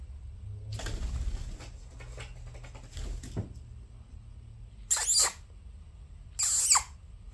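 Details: Pet conures, a pair kept together indoors: soft rustling and scratching noises at first, then two loud, harsh, rasping squawks about one and a half seconds apart.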